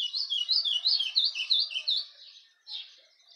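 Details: In the campina of Rio Grande do Norte a cravina gives a fast chattering series of high chirps, about three per second, fading after two seconds into softer notes.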